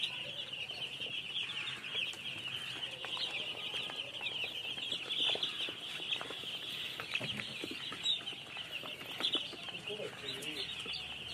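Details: Many baby chicks chirping together, an unbroken carpet of high, quick peeps, with occasional sharper clicks and taps and a faint murmur of other sounds beneath.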